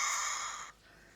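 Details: Cockatiel chicks 2-3 weeks old, lifted from the nestbox minutes earlier, skittish and not used to human contact, give one harsh, breathy hiss lasting about three quarters of a second, then fall quiet over faint background hum.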